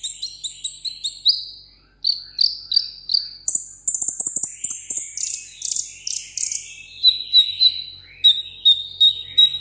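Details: Sunbird kept as a table bird, singing a solo contest song: quick high twittering notes, then a very high sustained buzzy passage with rapid chips, ending in a steady series of clear, thin whistles.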